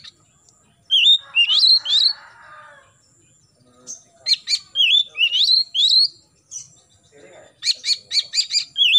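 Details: Oriental magpie-robin song in the morning, meant to get young birds singing: clusters of rising whistled slurs mixed with rapid buzzy repeated notes in bursts, with brief pauses and a faint low rustle between phrases.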